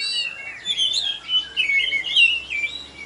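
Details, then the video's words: Champion oriental magpie-robin in full song at a Tebas bird contest, just hung up: a dense, continuous run of bright twittering and slurred whistles with quick pitch jumps. "Video Kacer Juara Di Tebas Habis NgeGantang"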